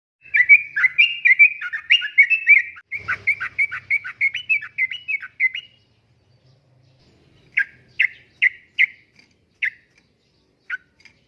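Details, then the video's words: Yellow-vented bulbul in prolific 'uplik-uplik' style song, used as a lure and tutor for caged birds: a dense run of bubbly, warbled phrases for about six seconds, then a pause and several short, separate chirped notes. "Kicauan Suara Burung Trucukan Gacor Uplik Uplik,Pancingan Trucukan Gacor,Masteran Trucukan"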